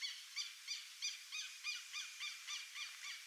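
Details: Burrowing owl calling in a steady run of short, upslurred, chirping notes, about three every second, each a small rising-and-falling yelp at moderate volume, evenly spaced across the few seconds.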